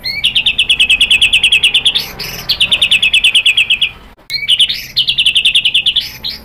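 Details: White-rumped shama song played as a lure to draw other shamas into singing: long runs of rapid, evenly repeated bright chattering notes, about three per second, broken by short sweeping whistles and a brief pause midway.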